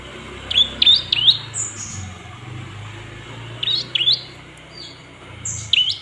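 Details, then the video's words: Olive-backed tailorbird calls used to goad other birds into singing: short groups of two or three high, upswept chirps separated by pauses of a few seconds, with a soft hiss and low background hum. "Pancingan suara prenjak lumut biar emosi naik dan gacor"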